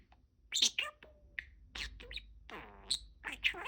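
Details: Talking pet parakeet, a budgie chattering the phrase "peek-a-boo" in a cute way, with quick high squeaks, clicks and a buzzy warbled stretch in the middle, recorded in a quiet room.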